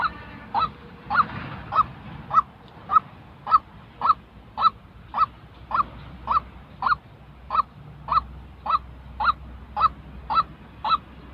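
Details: A long even series of about twenty curt, nasal 'kwak' notes from a white-breasted waterhen, recorded for training decoy birds used in trapping. Brief low noise is heard early on.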